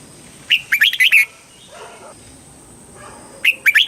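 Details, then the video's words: Red-whiskered bulbul song in the southern master style from Thailand, played to rouse caged birds and train young ones: two quick bursts of four or five clear warbling notes with a rising start, separated by faint lower murmuring and a constant high hum. "เสียงนกกรงหัวจุก ร้อง ริก เปิดให้นกฟัง ยั่วให้นกคึกจัด"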